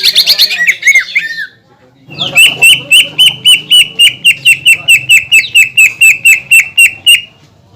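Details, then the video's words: Energetic greater green leafbird song, meant to goad other leafbirds into singing: an opening burst of varied rising and falling whistles, a short gap, then about twenty evenly spaced, sharp piercing notes delivered quickly over a faint low hum. "PANCINGAN CUCAK IJO GACOR YANG BIKIN BURUNG CUCAK IJO LAIN EMOSI DAN LANGSUNG GACOR"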